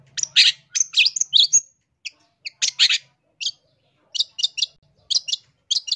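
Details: Long-tailed shrike song from a master recording used for training or luring birds: rapid bursts of harsh, chattering high notes, then a series of short, evenly spaced chirps near the end, with a clean, quiet background.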